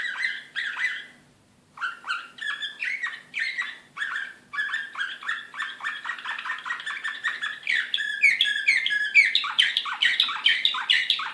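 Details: Serbian slavujar canary from Belgrade, 2016, in an excited state, delivering a long song: short phrase, a brief pause, then steady repeated chirped notes building into dense, louder trills over a low steady hum.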